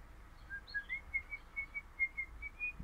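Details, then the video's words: Crimson rosella, orange pennant form, a happy pet parrot singing: a steady series of thin clear whistled notes, rising slightly at first then held level, about eleven notes in under three seconds, over soft background hiss. "Happy Parrot Crimson Rossela Pennant Orange Singing"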